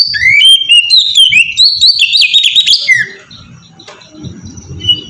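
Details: Oriental magpie-robin singing the melodious ngeplong song used to draw other kacer into song: a dense three-second burst of rising whistles and chattering notes, then near quiet with faint background sounds.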